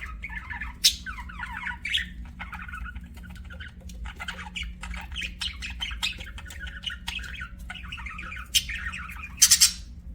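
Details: Budgerigar chattering: rapid sequences of short buzzy chirps and warbled notes repeated almost without pause, punctuated by a few loud harsh squawks, over a faint low hum.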